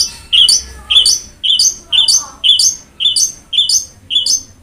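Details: Long-tailed shrike song used to prompt a lazy shrike: a steady series of sharp, descending two-part notes, about two per second.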